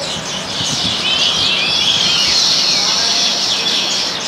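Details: A flock of baya weavers feeding together in an Indian backyard garden gives a continuous, dense, wheezy chatter of high buzzy notes, many birds calling at once without pause.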